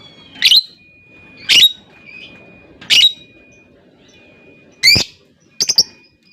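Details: Lovebird giving five sharp, high shrieking chirps spaced about a second apart, each a short burst, with a faint steady high tone running underneath and a quiet background.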